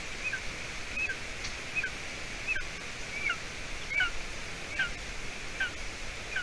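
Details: Golden eaglet, 53 days old, in its nest in Latvia on the evening of 30 June 2020 as the adult female brings roe deer hide. Thin, high, downslurred whistled peeps repeat about every three-quarters of a second over a steady rural background hiss.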